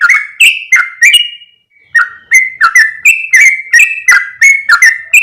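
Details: Bulbul lure call, the yellow-vented bulbul luring others of its kind: quick bursts of bubbly whistled notes with sharp clicks, a brief gap, then a continuous chattering run of alternating high and low whistles.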